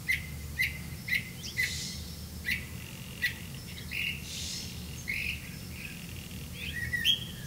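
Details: Black-bellied malkoha (Phaenicophaeus diardi) at its nest caring for young, giving short, sharp chirps about twice a second, then softer rustling notes and later higher chirps, over a low background hum.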